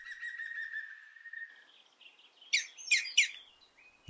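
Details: An adult European green woodpecker at an urban nest in Brussels in June calls its fledglings out, with a steady, even whistled note for over a second, then a few harsh, loud chirps in quick succession.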